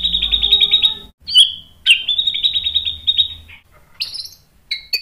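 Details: Lure recording of White-rumped shama meant to provoke a reply: a long buzzy trilled phrase, then sharp upslurred whistled notes and brief high chips, in a quiet setting.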